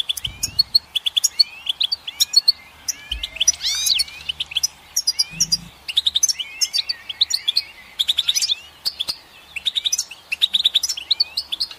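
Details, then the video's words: Lively goldfinch song made of rapid tinkling chirps and liquid rising slurs, with a burst of buzzy, scratchy notes partway through and only brief pauses between phrases. "Goldfinch Song"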